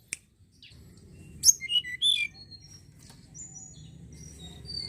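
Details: Lure recording of a Sunda robin singing: quick high chirps and twisting whistled notes in a short burst, followed by scattered thin high whistles, with a constant low background hum.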